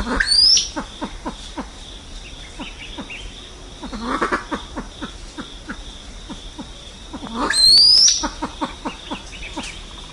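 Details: Flock-calling silver pheasant: irregular bursts of short, dropping clucks, broken by two loud, thin, upslurred high whistles near the start and end.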